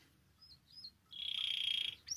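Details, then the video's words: Canary song used to prompt canaries to sing: a couple of faint high slurred notes, then a loud, tight, buzzy trill held steady for about a second, closing with a short chirp. "Canario Cantando. (Ideal para ESTIMULAR canto de canarios)"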